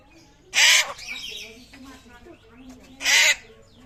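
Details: Rare butcherbird from Papua, its voice compared to a raptor: two rough, scratchy screeches about 2.5 seconds apart, with faint softer chatter and rustling between them.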